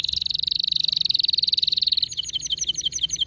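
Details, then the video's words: Worked-up male canary delivering a fast, steady, high rolling trill for two seconds, then switching to evenly spaced sharp high chips. "هيجان ذكرى كناري سيجبر كناريك على التغريد فورا"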